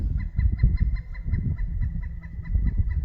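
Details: At Norfork Lake in the Ozark Mountains, a Pileated Woodpecker on a lakeside tree gives a rapid, even series of loud, hollow notes, about seven a second, over heavy low rumbling wind or engine noise.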